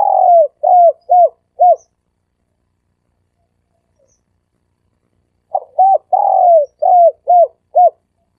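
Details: Dove cooing in the three-coo style, used as a lure to draw birds in quickly: two bursts of short, downward-curving coos in quick succession, separated by a long silent gap.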